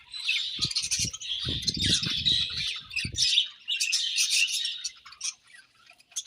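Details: Busy, high-pitched warbling and chirping from budgies while they eat, with soft low taps underneath during the first three seconds.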